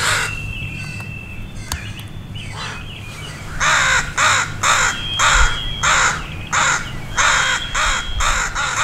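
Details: Crows mobbing a dog that wandered near two juvenile crows learning to fly; parents raise the alarm and a crowd of crows joins in. Harsh caws repeated in quick bursts, about two per second, after a quieter start, steady low hum beneath.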